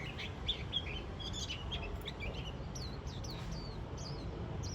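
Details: Warbling white-eye chattering on the first day of autumn: a scatter of thin, high chirps and short downslurred notes, fairly faint, over a steady low rumble of background noise.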